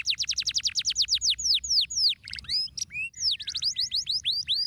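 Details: Canary singing a stimulating song: a quick series of falling high notes that slows to sliding whistles, a short buzzy burst, then renewed fast chirping.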